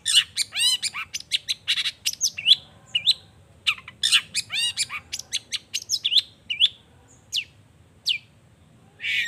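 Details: Long-tailed shrike (cendet) singing energetically as a lure recording meant to provoke other shrikes to respond: dense rapid harsh chirps and rattling notes, then a pause and another burst of scratchy, mimic-like phrases, ending with a raspy note.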